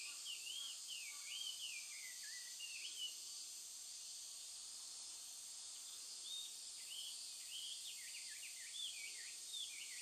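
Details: Chinese hwamei singing loudly at the Toki River, Japan, on 12 August 2013 in intense summer heat: clear, looping whistled phrases with rapid up-and-down slurs, over a constant loud high-pitched insect drone.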